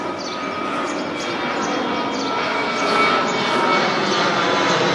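A steady roar of passing vehicle or train noise fills the whole recording, with no clear calls above it.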